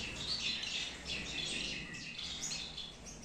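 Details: Short stretch of Gouldian finches in a breeding aviary in Peshawar, bright high chirps and tweets from multiple birds tumbling over one another.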